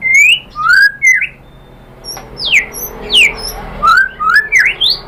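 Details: White-rumped shama singing as a lure for other shamas: loud rising whistles, a short quiet gap, then separate, steeply sliding whistled notes and a closing run of quick upward sweeps.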